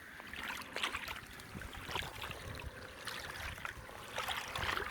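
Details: Splashing water and the knock and rumble of a small boat, with no clear animal calls.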